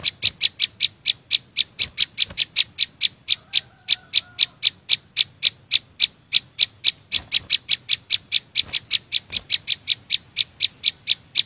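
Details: Wild flowerpecker giving a long, steady run of crisp, high-pitched clicks at a rapid pace, each note short and bright, with a faint low rumble beneath.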